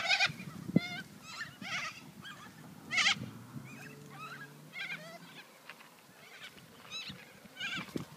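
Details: Corella calls: harsh, rasping screeches with bent, wavering notes, given in quick irregular bursts through the recording, as if from several birds at once, over a faint low hum and a few dull thumps.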